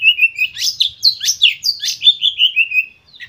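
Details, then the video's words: Emotional white-rumped shama song meant to stimulate other birds: fast rich phrases of sweeping whistles and sharp upward slurs, closing with a falling series of short notes. "Pancingan Kacer Full Emosi"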